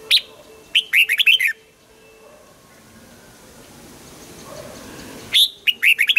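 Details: Caged red-whiskered bulbul in morning song training, pushed to sing a wild-style double-note song, gives a quick run of clear, whistled, warbling notes. A long pause with faint background hiss follows before another bright burst.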